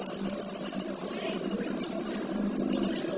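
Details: Male kinoy recorded as training material for other songbirds: a fast run of high, thin chirps lasting about one second, then quieter pauses broken by brief high twittering notes near the end.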